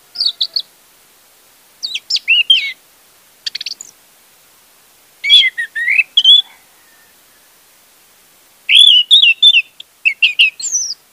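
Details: Orange-headed thrush song used as a lure to prompt a silent bird to sing: loud bursts of whistled, warbling phrases between 2 and 8k, in four separate clusters with quiet gaps between them.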